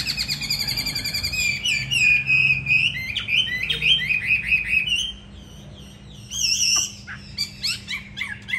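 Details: Trained fighting hwamei, caged in Hà Nội, Vietnam, pours out a long varied song: rapid trills, sliding whistles and chopped phrases, a brief pause near five seconds, then sharp clipped notes.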